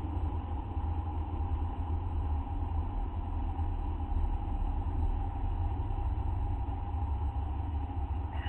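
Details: Continuous low rumble and hum, like a running engine, with no animal call.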